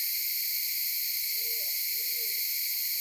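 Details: Maleo at Sarva Island, Kampung Ugar, recorded on a phone: two low hollow notes in quick succession, each slightly arched, beneath a strong steady insect chorus.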